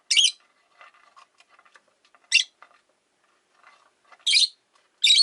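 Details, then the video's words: Rosy-faced lovebirds, five birds in a cage by a window, make four sharp, harsh screeches at uneven intervals, with quiet twittering and distant street sounds in between. "Lovebird Chirping Sounds"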